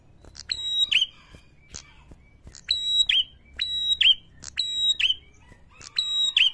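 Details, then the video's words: Prinia call used as a lure to provoke other prinias: bright, harmonic whistled notes, each ending in a short falling twang, given in quick pairs and groups with brief pauses. "pancingan ampuh bikin prenjak mana saja bakal emosi"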